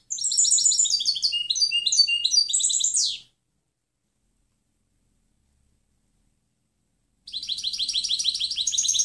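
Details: A European goldfinch delivers a clean training song for other birds: a three-second run of bright, rapidly alternating twittered notes with a descending buzzy finish, silence, then another sparkling twitter begins.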